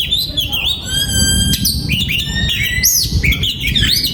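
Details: Oriental magpie-robin singing in a breeding aviary, 2022: clear whistled phrases with rising and falling slurs and high overtones, over steady low rumbling background noise.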